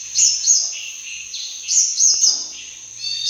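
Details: Sunbird calls used as a hunting lure: thin, very high chirps and short squeaky trills, interspersed with lower whistled notes and sharp bursts every half second or so.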